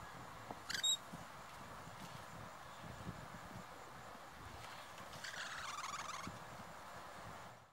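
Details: Musk lorikeet feeding on nectar in a red-flowering yellow gum, a few metres away, gives a brief shrill screech, then a longer harsh, buzzy chatter seconds later, over steady outdoor background noise.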